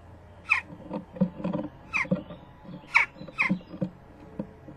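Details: Young Western jackdaw at a nest box, 12 June 2015, mid-morning, begging while both parents arrive with food: a rapid series of harsh, downslurred calls, several per second, mixed with wing flutters and wooden clattering.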